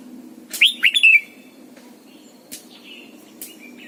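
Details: Red-whiskered bulbul, a caged decoy bird, giving morning song in the double-note mature wild style. Delivers one rapid phrase of four bright, slurred whistles, then faint soft notes and a few sharp clicks over a low steady hum.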